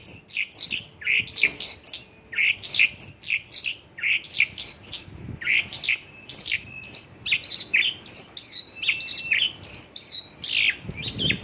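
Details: Mongolian lark singing an 'isian lokalan' song, filled with phrases of local birds: a rapid, unbroken stream of varied high chirps, trills and sharp slurred notes. The bursts come several times a second and are loud against a quiet background.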